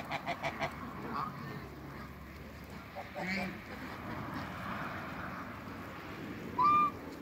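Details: African and Toulouse domestic geese on a waterbird farm meeting a newcomer; soft murmuring and a short burst of gabbling lead to one loud, clear, nasal honk near the end.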